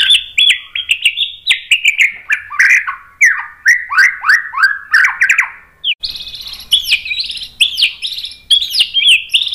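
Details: White-rumped shama in full song, played to stir other shamas to sing back: a dense burst of slurred whistled notes, falling and rising, with sharp clicks, then higher chattering phrases after a brief break.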